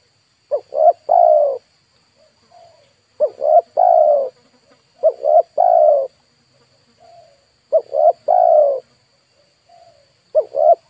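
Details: Decoy spotted dove luring wild birds, repeating its short-short-long coo phrase roughly every two and a half seconds, while fainter soft coos sound between the phrases.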